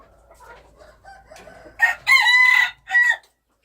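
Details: Wild chicken giving a loud crow: a short opening note, a strong sustained middle note and a clipped final note, preceded by soft low clucking.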